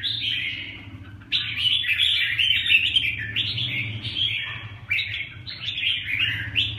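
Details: Red-whiskered bulbul delivering rapid chirpy, warbling phrases in repeated bursts, over a steady low hum in the background.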